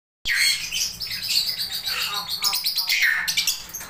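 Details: A playful, active pet Swainson's lorikeet gives harsh, high, screechy chatter and shrill squeaks, nearly continuous over four seconds, in a small indoor space.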